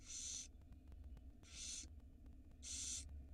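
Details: Barn owl nestlings begging at feeding time, filmed by a 4K nest camera in Israel in spring 2022: three loud, rasping hisses, each roughly half a second, repeated about every 1.2 seconds above a constant low electrical hum.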